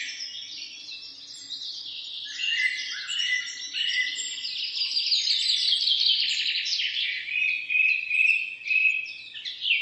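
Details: Morning chorus of several birds: dense overlapping high chirps, twitters and short trills, growing fuller after the first few seconds and continuing without pause, with a faint low hum underneath.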